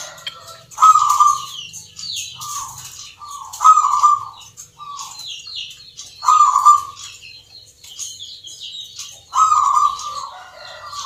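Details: At an Indonesian perkutut contest in Yogyakarta, caged zebra doves sing the Nglagu Ngepat Mentaraman rhythm: short purring coo notes then a louder trilled coo, the pattern repeated about every three seconds, with high twittering from other birds.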